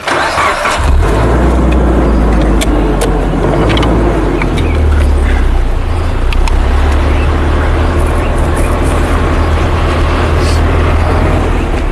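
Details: A vehicle engine starts and idles with a steady low rumble throughout, and no animal sounds can be picked out.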